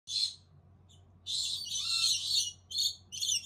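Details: Collared lorikeet chicks in a nest box give harsh, hissing, high-pitched rasps in irregular bursts, some over a second long, with a low hum in the background.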